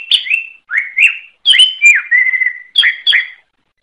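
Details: Greater green leafbird song, a masteran recording in gacor style used to train caged songbirds: clear whistled phrases with slurred notes in short bursts separated by brief pauses, clean background.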